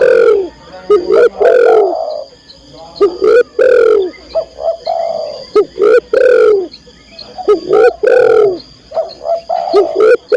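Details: Female spotted dove calling for a male: a steady series of loud, rasping coos in short groups, repeating roughly every two seconds across ten seconds, with faint cooing underneath.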